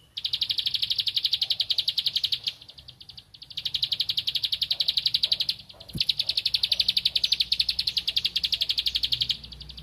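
A Bar-winged prinia sings fast runs of high, sharp, buzzy notes, about ten a second, in bursts of two to three seconds with short pauses.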